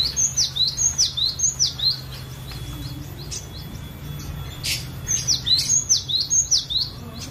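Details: Lure song of a kept cinereous tit, used to trigger singing in other birds: two bursts of rapid high whistled notes, each swooping downward, about three per second, separated by a softer stretch of faint chirping.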